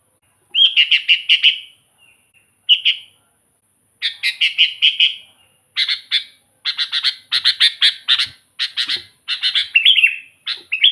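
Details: Sooty-headed bulbul singing energetically, recorded as a lure for wild bulbuls and as a tutor for quiet birds: dense runs of rapid chirpy, whistled notes in bursts, growing busier and almost continuous toward the end.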